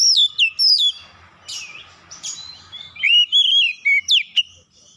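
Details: Oriental magpie-robin provoked into an aggressive challenge, showing off its learned song: high descending whistles, a few harsh noisy bursts, then a run of warbled whistled notes.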